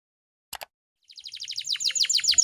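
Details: Female canary in breeding condition, used to stir other canaries into singing: after two short clicks, a rapid series of high descending notes begins and grows louder and faster toward the end.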